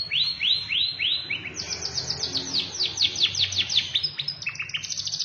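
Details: Canary singing: a rapid series of high swooping notes, each sweeping down, first spaced then packed into fast rolling trills, with a few quick chirps near the end over faint low background hum.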